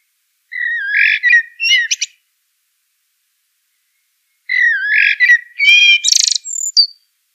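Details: Two song phrases from a common blackbird: rich, low whistled notes that tumble into a scratchy, high-pitched chattering flourish, with a quiet pause between them and no other sounds.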